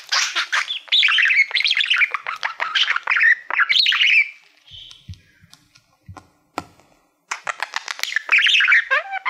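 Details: Pet budgerigar singing to its mirror-like plaque indoors: dense scratchy warbling and chirps for several seconds, a quieter gap with faint clicks, then renewed busy chatter.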